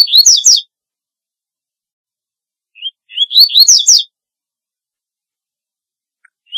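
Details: Two song phrases from a double-collared seedeater, about three seconds apart, each made of quick rising whistles and buzzy descending slurs, with a faint note at the end and a silent background.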